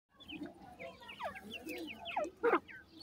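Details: Grey francolin chicks raised on a farm in Pakistan give a chorus of short, thin, downslurred peeps that overlap at varying pitches, with one louder, sharper cluster of notes near the end.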